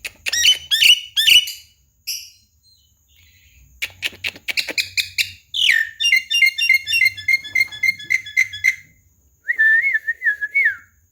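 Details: Caged Javan pied starling, a talkative bird able to speak, singing a varied run of sharp whistles, chirps and clicks, then rapid repeated high notes and a wavering whistled phrase near the end.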